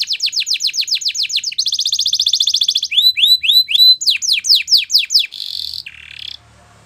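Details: Belgian canary singing a training song: fast rows of sharp downslurred whistled notes, then a dense buzzy roll, then rising then falling chirps repeated about four times a second, ending in a short rattling trill.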